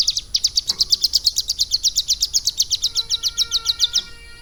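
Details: A steady stream of piercing, evenly spaced high chirps, nearly three per second, pours from a caged hill prinia trained on lovebird song, with a faint low whistle underneath near the end.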